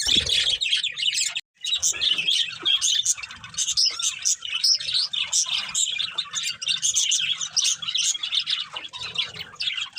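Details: Breeding pair of budgerigars in nearly continuous, dense warbling chatter with scratchy chirps and trills, one brief silent break early on.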